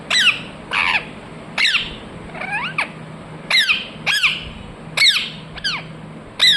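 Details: Ringneck parrot chirping: loud, piercing screeches with falling pitch, repeated roughly every second in an uneven rhythm, with a low steady hum beneath.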